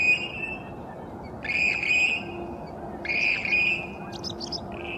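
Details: Western grebes choosing a mate in the early morning; grating, creaking calls repeated in bursts roughly every second and a half, a few short higher notes near the end, low rumbling noise beneath.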